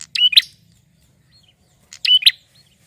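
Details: Male prinia singing vigorously to draw other birds out: two bright, scratchy double chirps roughly two seconds apart, with silence between.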